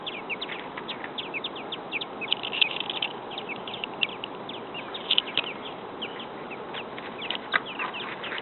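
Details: American robin nestlings a few days old in a backyard nest, waiting for food, giving a dense, continuous chorus of short high thin peeps and chirps that overlap and swell at moments, over steady background hiss.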